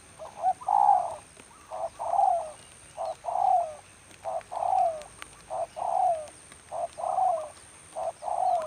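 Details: Spotted dove, a decoy for trapping on a rainy day, repeats its phrase steadily: short lead-in notes, then a long falling croo, roughly once every one to two seconds throughout.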